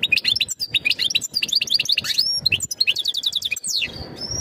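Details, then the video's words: European goldfinch courtship song readying the female for breeding, a dense stream of quick twittered chirps, short trills and thin high whistles, ending with a descending slur and a drawn-out note. "تغريد الحسون نذاءات التزاوج لتجهيز أنثى الحسون"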